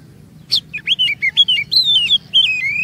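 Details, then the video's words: Oriental magpie-robin song meant to coax other magpie-robins into varied singing: a sharp opening note followed by a chain of sweet slurred whistles rising and falling, closing on a sustained rising whistle. "MEMANCING KACER NGEROL DAN BONGKAR ISIAN"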